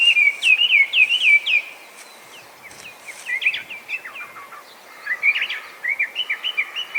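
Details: Invasive Chinese hwamei, feral in Japan and noted for imitating other birds: a run of repeated clear whistled notes, a brief quieter pause, then varied chirpy phrases and slurred whistles resume over light background noise.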